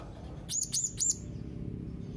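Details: Young blue-crowned hanging parrot calling rivals, giving three quick high, arched chirps in a tight burst, each sharply rising then falling, with low rumbling background noise.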